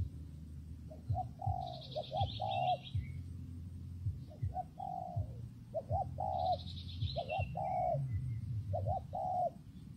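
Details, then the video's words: Spotted dove repeating soft coo phrases in wind and rain, short notes leading into longer tones. High chattering trills from another bird break in twice, all over a deep steady rumble. "Thời tiết mưa gió ace vào nghe cu gáy gù cả ngày"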